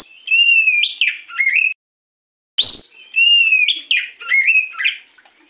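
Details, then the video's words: Lure recording of an oriental magpie-robin singing in the morning: rich whistled phrases with rising and falling slides, broken by a brief silence before the song resumes with similar warbling notes. "pancingan burung Kacer di pagi hari"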